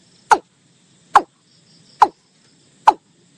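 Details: Watercock calling with four clipped, knocking notes that fall briefly in pitch, evenly spaced slightly less than a second apart, against near silence.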